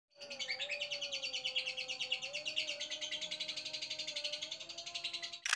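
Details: Caged lovebird giving a long ngekek trill on meeting a newly arrived male housed in a separate cage: a rapid, steady chattering run of buzzy pulses lasting over five seconds, with a faint constant low hum beneath.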